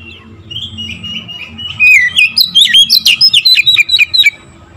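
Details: Oriental magpie-robin, quiet warbled notes building into a rapid, loud series of chirping, twisting whistles, about a dozen in quick succession, sung to provoke other birds.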